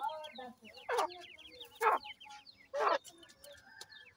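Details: Grey francolin, locally called teeter or Dakhni titer, with its chicks: three loud harsh clucks about a second apart, while chicks give rapid high thin peeps, short falling notes in quick runs, throughout.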